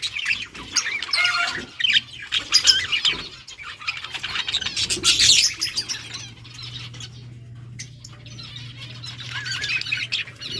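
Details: Yellow budgerigars chirping on August 6, 2024: busy warbling chatter with some wing flutter sounds, fading to quieter chirps over a steady low hum.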